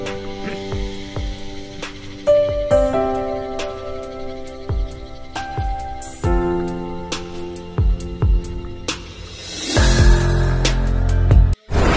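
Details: Soft instrumental music with a steady beat plays throughout, ending in a burst of rushing noise, with no animal voice.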